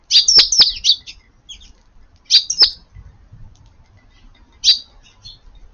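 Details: Eurasian tree sparrows at a garden at lunchtime on 7 June, gathered busily under the eaves during rain; bright, high chirps come in two quick clustered bursts, then a lone chirp near the end.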